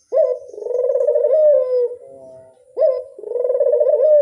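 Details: Two drawn-out rolling coos from a Barbary dove used as a lure call. Each starts with an abrupt rising note and then trembles along at an even pitch, with a quieter murmur between them.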